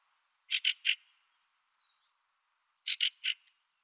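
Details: Fieldfare (Turdus pilaris) calling: two quick groups of three rasping, clipped notes about two and a half seconds apart, against a quiet background.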